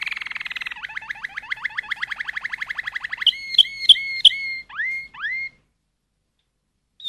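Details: Malinois canary giving a rapid series of short, down-slurred pulses that quicken into a roll, followed by a few loud, separate, ringing notes and two rising whistled slurs before falling quiet.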